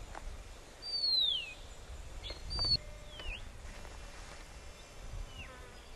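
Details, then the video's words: Horsfield's bronze cuckoo singing on Postman's Track near Samsonvale Cemetery, south-east Queensland, gives high, thin down-slurred whistles a few seconds apart, over a soft background hiss and low rumble. "Horsfield's Bronze-Cuckoo (Chrysococcyx basalis)"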